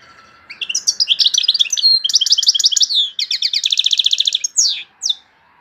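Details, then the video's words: Loud European goldfinch song: rapid twittering phrases of high chirps and buzzy trills run together, then a fast even rattle, ending in two separate sharp down-slurred notes; no other sounds. "تغريد مقنين عالي"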